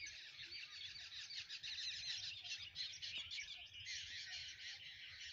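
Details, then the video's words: A dense morning chorus of many birds in a garden, with continuous high chattering and twittering notes overlapping without pause and a faint low rumble beneath. "morning in nature and birds sounds"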